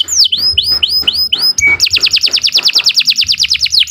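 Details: Long canary song meant for teaching young birds: a series of swooping whistles rising and falling, a short steady tone, then a fast rhythmic roll of repeated notes, with soft low thuds beneath.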